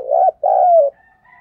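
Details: Spotted dove lure call meant to be played in the morning to draw doves in quickly: two low, hollow, vibrating coos, the second longer and gently falling, followed by a faint high whistle.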